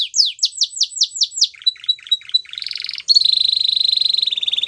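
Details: Song of a Spanish Timbrado canary: six slurred falling whistles, then short clipped chirps, a soft buzzy roll, and finally a sustained rapid metallic trill, with no other sounds.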